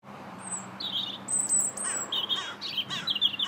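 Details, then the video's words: A European robin, seen from a bridge in the Linear Park, Bath, on 21 January 2017, sings a quick string of thin, high, wavering phrases, each different, over a faint steady low hum. "Still the Robin Sings"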